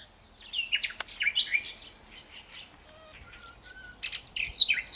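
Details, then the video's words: Common nightingale song: jumbled, fast, high notes and trills open the phrase, followed by a pause with a few soft, pure whistled notes, then another burst of sharp, varied chirps. "Nightingale Luscia,zog birbili 2 Αηδονι"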